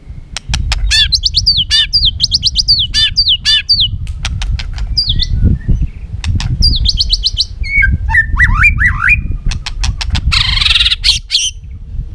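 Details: White-rumped shama, a trained bird singing many forest-style phrases: sharp clicks, rapid rising whistled trills, bouncing slurred notes, and a final burst of buzzy rattling, delivered in quick varied bursts.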